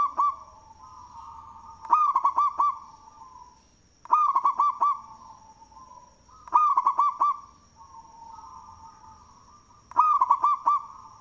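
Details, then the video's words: Indonesian local zebra dove with a loud voice, manggung cooing suitable as a lure. Five strong phrases repeat roughly every two seconds. Each is four rapid bubbling coos, linked by softer sustained hums, with a persistent thin high tone behind. "Perkutut Lokal suara BESAR Manggung, Cocok untuk pancingan"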